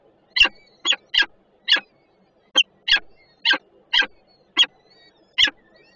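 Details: Nest-camera recording of peregrine falcons in Warsaw's Żerań district, 28 June 2022, one adult on guard and one bringing food: a steady series of ten short, grating calls spaced roughly half a second apart.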